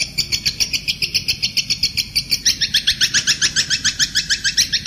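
Kuntilanak bird singing a fast, even series of high, chirping notes, about four per second, stepping up in pitch halfway and continuing.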